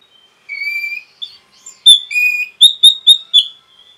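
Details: Orange-headed thrush rapid song used to provoke other birds; clear drawn-out whistles at varying pitch, then a string of four short loud whistled notes in quick succession ending in a long fading whistle.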